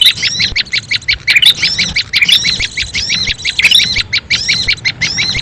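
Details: Lure sound for attracting small birds: bright, high chirping notes in quick bursts, some doubled, with brief louder squeaky accents between, running continuously over low background rumble.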